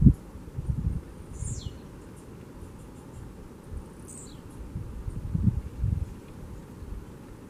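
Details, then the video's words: Tiziu singing in the wild: two brief, high buzzy notes that sweep sharply downward, several seconds apart, over a heavy low rumble of outdoor noise. "show pirotécnico do Tizil na natureza."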